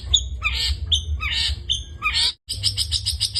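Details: Long-tailed shrike singing 'gacor full isian': sharp whistled notes each followed by a harsh buzzy rasp, repeated about four times, then a short gap and a fast run of high chips.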